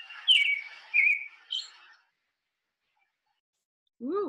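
American Robin song: clear, warbled whistled phrases, a few in quick succession, then a pause before a person's voice begins.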